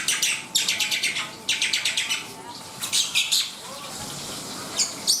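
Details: Black-winged myna giving quick bursts of grating, buzzy chatter, several rapid notes per burst, separated by short gaps and a few sharp single calls, over a faint constant hum.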